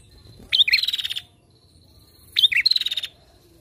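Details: Female prinia calling as a lure for other birds: two bursts, each a sharp rising note, then a buzzy, rattling trill held high and steady for about half a second, separated by a short silence.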